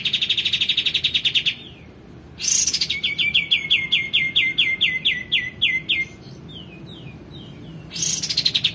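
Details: A male white-eared bulbul singing strongly as a tutor for other songbirds gives a fast buzzy trill, a harsh burst, then a long row of crisp descending chirps tapering into softer notes, before another rapid trill.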